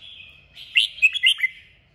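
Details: Red-whiskered bulbul in strong 'kích bổi' song meant to get birds singing: soft high twittering leading into five loud, clipped whistles in rapid succession, fading out.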